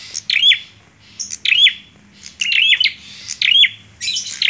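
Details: Bar-winged prinia with a short run of loud chirped notes, roughly one per second, hooked in shape, over a faint low hum.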